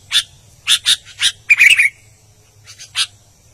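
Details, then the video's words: An albino sooty-headed bulbul gives loud, harsh chirps, then a rapid, tumbling burst of liquid whistles, ending with a few softer chips. "BURUNG KUTILANG ALBINO GACOR"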